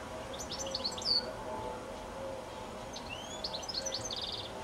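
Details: Goldfinch evening song on a high telephone wire just before sunset: two quick twittering phrases of sharp high notes, the second with a rising slur and a pulsed buzzy trill, against faint background noise.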